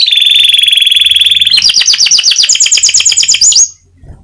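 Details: Atlantic canary singing in an intense, fired-up ngebren style: a loud, buzzy, sustained high trill for about one and a half seconds, then a rapid series of sharp rising-falling notes ending in a higher rolling trill. The background is quiet.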